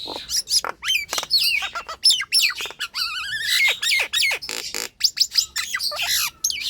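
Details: Nias hill myna song, played to urge sluggish, quiet mynas to sing: rapid clicks and squawks mixed with ringing whistles, plus a wavy warbled phrase in the middle, delivered densely with few pauses.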